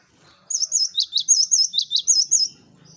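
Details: Cinereous tit song used as bait for flocks of birds: around ten rapid notes mixing high rippling whistles with sharply dropping chirps, followed by a faint low hum.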